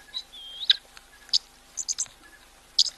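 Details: Oxpeckers that have just landed on a giraffe at a waterhole, live: short high chirps and a thin whistled note, scattered irregularly, bright and clear.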